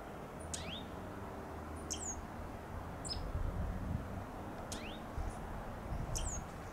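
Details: In a blooming Bougainvillea vine, a dark-eyed junco chirps: sharp high chips, some swept downward, others rising, spaced about a second apart over low background rumble that swells midway.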